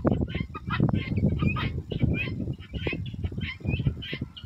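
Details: A mated male and female Helmeted guineafowl with eight keets give harsh, rasping calls in quick repeated bursts over a low rumbling background.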